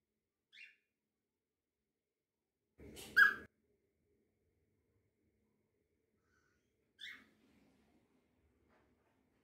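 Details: An excited cockatiel gives a few short, bright whistled chirps spaced several seconds apart.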